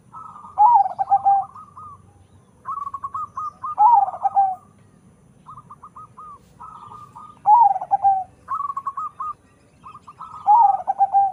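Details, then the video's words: Crossbred zebra dove from local and Bangkok parents sings repeatedly, loud descending rolling coo phrases roughly every three seconds alternating with lighter quick trilled coos from a second bird. "PERKUTUT CROSING PERPADUAN LOKAL BANGKOK SUARA SUPER BESAR"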